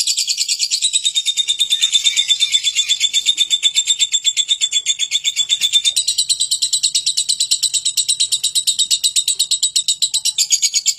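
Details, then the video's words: Chatty lovebird delivering a long 'ngekek' chatter: a continuous fast trill of high, buzzy pulses, about three per second, holding steady for over ten seconds in a quiet indoor setting. "LOVE BIRD CEREWET NGEKEK PANJANG !!!Aksi Love Bird Latah"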